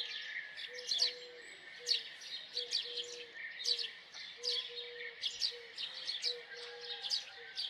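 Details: Repeated bright chirps from a house sparrow, about one a second in loose bursts, above a faint series of low, level whistled tones.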